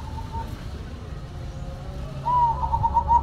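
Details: Zebra dove (perkutut) giving one faint early coo, then after quiet a clear run of quick, pulsing coo notes in the final second.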